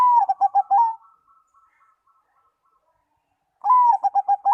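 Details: Zebra dove singing a song that other doves reportedly answer immediately. A phrase of a long note and quick staccato coos trails into a soft, fading rolling trill. A fresh phrase begins after about three seconds of quiet.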